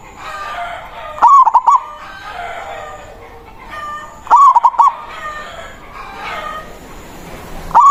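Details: Zebra dove of a local strain calling out a rival with manggung song, loud clipped bursts of rapid bubbling coo notes every three seconds or so, with softer mixed background noise between phrases.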